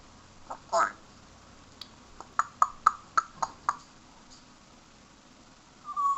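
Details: Pet male parrot, indoors, asked what he wants for dinner, imitates popcorn popping: a short vocal note, then a quick run of about six sharp, dry pops, roughly four per second, with a brief voice-like sound at the end.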